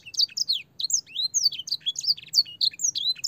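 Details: A master song for teaching young canaries, with blackthroat and sanger fill phrases. Quick, bright whistles swoop up and down in close succession, separated by tiny gaps, and carry over a soft low background hum.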